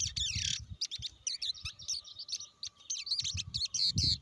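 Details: Blue-winged leafbird giving a rapid, varied stream of high chirps, twitters and short slurred whistles, with a loud descending note at the start, over low rumbling background noise and a faint steady hum.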